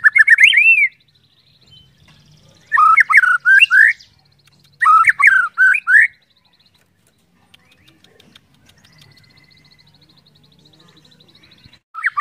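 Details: White-rumped shama song used to trigger other shamas: loud, fluty, undulating whistled bursts of four or five notes separated by pauses, with quiet twittering between phrases.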